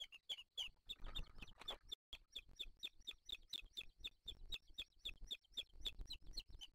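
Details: Booted eagle eaglets at a wild nest on a live nature camera, 3 July 2023, as the male arrives with a prey bird and feeds them. High, thin chips repeat about four times a second, with a burst of rustling and scuffling early on.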